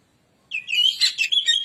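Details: Kacer (Oriental magpie-robin) singing a lure song: a sudden, loud, tumbling phrase of bright whistles and rapid warbled trills that sweep up and down in pitch, delivered without pause.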